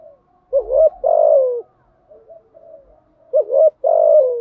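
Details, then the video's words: Lure cooing of a female spotted dove, thúc gù and gáy gọi styles, used to rouse decoy birds. Two loud low phrases, a quick upward note then a long sliding-down coo, with faint muttering between them. "Tiếng chim cu gáy mồi giọng lôi cuốn hấp dẫn đủ bài[ THÚC GÙ , GÁY GỌI ]"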